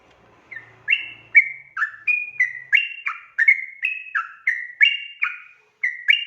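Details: Extended 'ropel' singing from a sooty-headed bulbul, intended to coax a reply: after a soft low rumble, a run of bright whistled two-note phrases pours out at an even pace.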